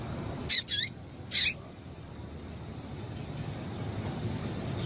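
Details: Calls of a female double-collared seedeater meant to stir males: two quick high chirps close together and a third shortly after, followed by steady background hiss.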